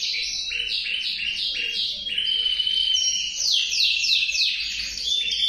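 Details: A male canary sings steady series of fast chopped trill units, then a long clear whistle and a run of quick downward sweeps, without a break.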